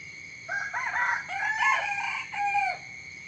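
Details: Chicken giving its morning crow: a hoarse, multi-part cock-a-doodle-doo lasting over two seconds, finishing on a held note that sags downward. A steady high whine sounds behind it.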